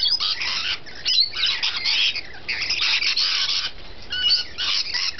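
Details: Loud, harsh screeching from feeding rainbow lorikeets, a steady wall of rasping squawks with a few clearer whistled notes mixed in.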